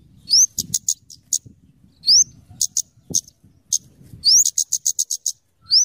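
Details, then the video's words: Scarlet-headed flowerpecker, known locally as kemade or cabe cabean, singing for luring and tutoring birds: very high thin rising upslurred whistles mixed with rapid clipped ticking notes in quick bursts, faint low rumble beneath. "suara burung kemade atau cabe cabean gacor cocok untuk pikat dan Masteran"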